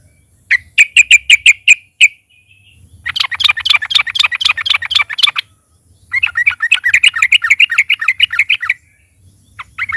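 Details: Loud trucukan (sooty-headed bulbul) lure song: a quick run of ringing chirps, then two longer stretches of rapid, chattering notes, and a brief note at the end.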